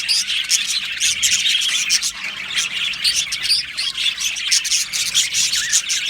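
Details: A colony of Australian budgies in an aviary, singing and chirping together: a dense, continuous high chatter of warbles, clicks and short squeaky notes from many birds at once, with no pauses.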